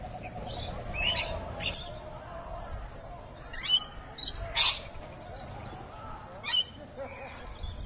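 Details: Rainbow lorikeets at Evans Head on 26 May 2012, mid-afternoon around 3:45 pm: scattered sharp, high screechy chirps from several birds over about eight seconds, with a low background hum.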